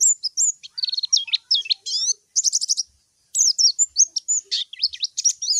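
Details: White-eye call to a rival in clean tutor audio: busy, twittering high chirps mixed with buzzy, trilled notes and quick up-and-down whistles, broken by one short silence before another lively burst.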